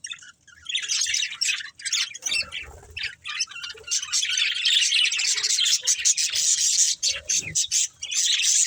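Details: Breeding pair of budgerigars chattering almost nonstop: dense, buzzy warbling and rapid high chirps in a steady stream, broken by a few short gaps.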